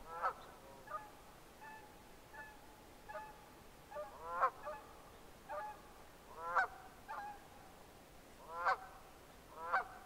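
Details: Red-breasted merganser calling repeatedly: clear nasal honks mixed with louder rasping, grating bursts roughly every two seconds, the harsh notes standing out above the softer tonal calls, with a quiet hiss behind.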